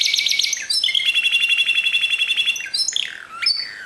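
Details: A Timbrado canary sings discontinuous song, a steady, fast, even trill of high clicking notes lasting nearly two seconds, framed by sharper rising and falling whistled phrases.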